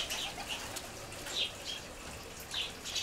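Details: Ground-feeding sparrows near a seed feeder chirp in scattered bursts, a few sharp notes every second or so, over background hiss.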